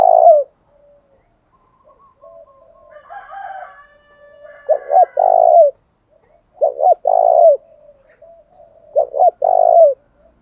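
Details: Lure spotted dove calling to provoke rival birds: a clear low coo phrase opens, then quieter mixed calls, followed by three repeated phrases of two short notes and a long falling drawn note.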